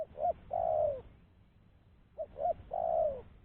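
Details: Clean spotted dove call used to lure wild doves for catching, heard as two full three-part phrases: short coo, short coo, long descending coo, about two seconds apart.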